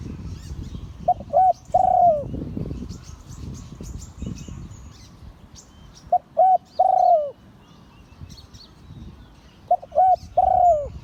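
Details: Spotted dove, an auspicious-line bird, crowing Liu Tan style. Three phrases arrive about four seconds apart, each with two or three quick coos and a long descending final note. Faint chirps and rustling sound between phrases.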